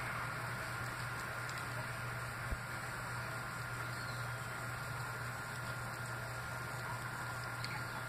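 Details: A steady electrical hum with a constant tone and broad hiss runs throughout, and no animal calls stand out.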